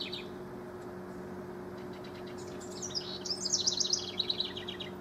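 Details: House wrens as rivals, recorded 12–24 June 2015, one giving a fast, bubbling run of high trilled notes that swells louder toward the end, over a steady low hum.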